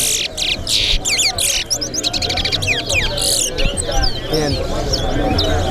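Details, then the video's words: Towa-towa (seed finch) racing in song at Betterhope bird ground: loud buzzy bursts, a fast trill of rising whistles, then softer scattered chirps, against steady crowd voices and low noise. "TOWA TOWA BIRD RACE"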